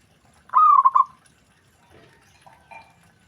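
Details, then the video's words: Zebra dove (perkutut) whose voice sets other doves responding right away: one loud rippling coo phrase of quick pulsed notes, then faint, softer murmurs and a brief low whistle trailing off. "Perkutut Lain Langsung Respon Dengar Perkutut Ini Bunyi"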